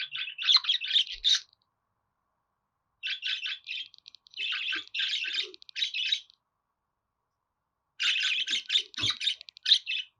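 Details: Budgerigar warbling in three bursts of busy, scratchy chatter separated by short silences, with quick chirps and squeaky notes blending into a continuous babble; no other sounds.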